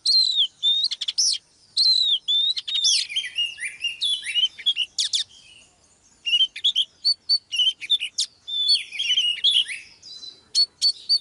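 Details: Oriental magpie-robin hen singing continuously to draw a male into song. Varied whistled slurs, crisp ticks and quick rattling trills, with a brief lull near the middle and repeated short high notes toward the end.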